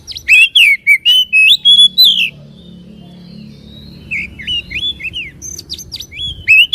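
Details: White-rumped shama song used to provoke a caged bird into singing and spreading its tail: loud whistled phrases sliding between rising and falling notes, in fast bursts with a quiet gap midway.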